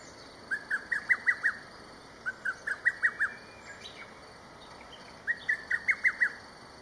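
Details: Lesser cuckoo calling loudly from a distant riverbank in the early morning of 22 May 2023: three quick bursts of five or six loud, hurried whistled notes, repeated every couple of seconds, over a steady high insect-like hum.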